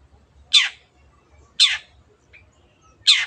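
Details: Long-tailed shrike, played as a lure to prompt silent birds to sing: three single harsh, buzzy descending rasps, spaced about 1.3 seconds apart, with a faint soft note between.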